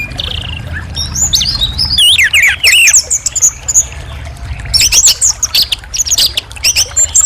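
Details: Orange-headed thrush singing in clear, varied bursts: looping whistled phrases that rise and fall, mixed with quick scratchy notes. The phrases come in two main runs with a steady low rumble beneath.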